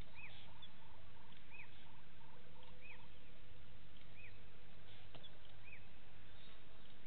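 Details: Blacksmith lapwing chick at a waterhole dam in Sabi Sand, South Africa, at 07:59 on 22 September 2018, gives thin, high, arched peeps about every one and a half seconds, with a soft run of ticking notes early on, over low rumble.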